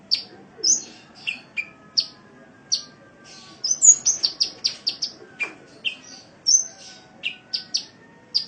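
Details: Sunbird (kolibri) song from an Indonesian cage-bird training recording, used to build a kept bird's mental strength and voice: rapid high, thin chirps and short whistled notes, irregularly spaced, some sharp downslurs, over a quiet low hum.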